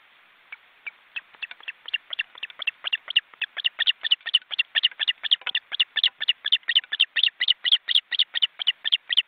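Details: Osprey chicks, nearly grown, in a crowded nest at a forest reserve in Estonia on a live webcam, flapping their wings: sharp chirping notes that begin sparse and quicken into a steady rapid series, about two per second, growing louder.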